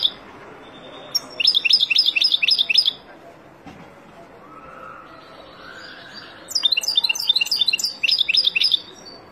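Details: European goldfinch, wild, singing two separate bursts of rapid, liquid twitters several seconds apart, with a quieter soft rising sound in between and a low background hiss.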